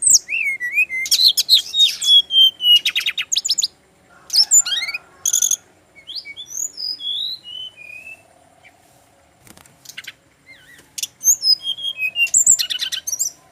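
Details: Brown-chested jungle flycatcher, a male from Bali, delivering rapid buzzy trills and whistled slurs. Several bursts are separated by short pauses, and a faint low hum sounds underneath.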